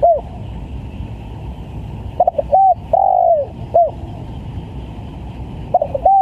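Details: Lure recording of a spotted dove calling vigorously: clipped paired coos lead into one extended, downward-bending coo and a short end note. Another phrase begins near the close, over steady low background noise.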